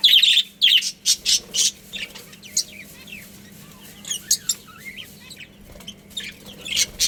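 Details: Colony of budgerigars chirping, bursts of sharp high chirps and warbled squeaks, busier at the start then scattered, over a low constant hum.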